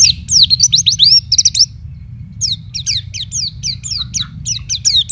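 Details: White-eye song from a champion master bird singing nonstop, showing off its song fill. Quick zigzagging high whistles come in dense strings, then a sparser run of sharp falling chirps, with a soft low hum beneath.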